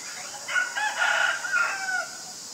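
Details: Loud common myna call from Ubon Ratchathani, Thailand, recorded on February 24, 2022 with a Nikon P1000: three coarse, throaty bursts joined by a clear whistled note over about one and a half seconds, with insects shrilling steadily in the background.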